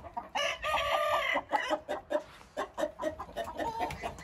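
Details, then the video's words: A Hint rooster gives a strong, flat, sustained crow near the start, followed by a string of short, uneven clucks and chattering notes. "Hint Horozu"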